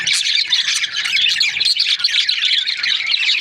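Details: Australian budgerigar breeding pairs produce a thick mesh of high twitters and short whistled notes, loud and continuous throughout.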